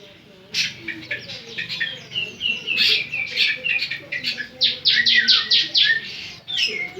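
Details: Semi-gacor Javan sun-bird producing a busy stream of high chirps and short trills, ending in a rapid run of sharp notes, with faint low background hum.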